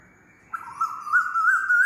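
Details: Loud calling Asian koel, a single long whistled note that wavers and rises gently over more than a second, in quiet surroundings.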